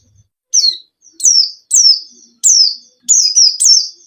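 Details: Caged white-eye song used as a lure to coax a reluctant bird into singing: loud high descending whistled phrases, each sharply struck then sliding down, repeated about every half second, some doubled.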